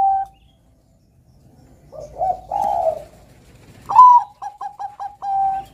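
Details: Zebra dove (perkutut), Bangkok type, singing eagerly: a single coo, a pause, then low throaty drawn coos. A bright accented note starts a run of five quick, evenly spaced clipped coos, ending in a longer held coo.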